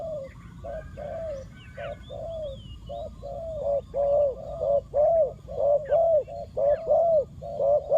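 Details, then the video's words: Spotted dove used as a decoy, calling to draw in wild doves. Soft cooing at first, then a loud run of rounded, slightly rising-falling coos, close to one per second. Faint twittering of other birds behind. "chim cu mồi gáy gọi bổi"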